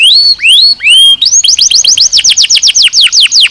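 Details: Canary song used in training: three rising slurred whistles, followed by an even series of loud downward sweeps at roughly four per second.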